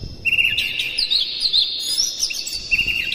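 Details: Oriental magpie-robin singing a dense, continuous run of high, sharp whistles and scratchy chirps that rise and fall without pause over faint background noise; a lure recording meant to stir other magpie-robins into singing.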